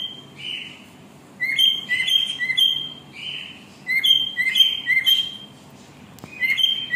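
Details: A cockatiel sings in short, separate phrases of bright whistles. Each phrase has a few level or gently sliding notes that alternate between a higher and a lower pitch, with pauses of about a second between phrases. A soft indoor hum sits underneath.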